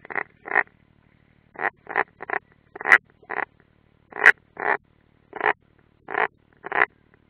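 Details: At a Latvian nest site in Ādaži training ground, June 2016, European rollers give short harsh notes in pairs and threes, fairly evenly spaced, over a faint low hum.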